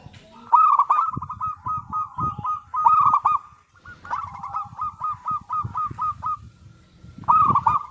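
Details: Zebra dove, a local bird used as a lure to make other doves sing; loud rolling cooing phrases of rapid, evenly repeated notes near one pitch, each phrase lasting about three seconds, with low thumping background noise.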